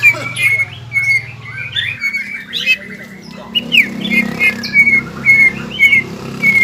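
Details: Caged greater green leafbird singing in the ngobra and jamtrok styles, brought on by arousing its breeding drive: clear repeated whistled notes roughly twice a second, mixed with chattering twitters, over a low hum.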